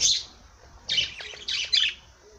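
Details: Parrot uttering a quick series of four bright, high chirping squawks. The first is sharp and piercing; the next three come in close succession with brief gaps between them.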